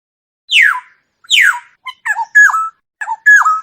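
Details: Black-naped oriole giving two harsh, downward-sweeping nasal notes, followed by short, rich whistled phrases with slurred, fluty notes, repeated twice, with a quiet background.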